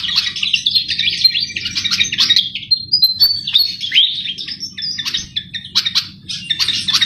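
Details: Javan flycatcher in lively full song, used as a lure for trapping: a continuous rapid jumble of high twittering, chattering and short whistled notes, with a steady low hum beneath.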